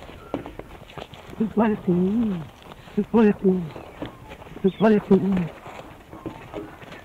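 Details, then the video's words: Australian musk duck named Ripper, raised in captivity, imitates human speech during a mating display: three low, gravelly, speech-like phrases about a second each, sounding like a man swearing ("you bloody fool"), with faint rustling between. "for the first time the musk duck has been recorded imitating human speech even learning to swear"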